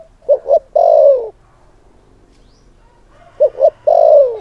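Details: Spotted dove decoy calling to provoke males, two complete phrases: a pair of short coos followed by a long downward-sliding croon, repeated after a three-second pause.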